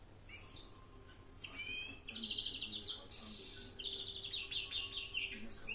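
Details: Florya-style mixed song of a European greenfinch: short twittering notes open into quick trilled series, a loud sharp buzzy burst around three seconds, then more rolling trills and chirps against a quiet low hum.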